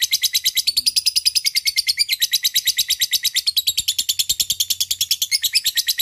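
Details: Lovebird ngekek, a long chattering song used as a lure calling a rival: rapid, unbroken chatter of harsh notes, about eight per second, sustained throughout with a slight wavering in pitch.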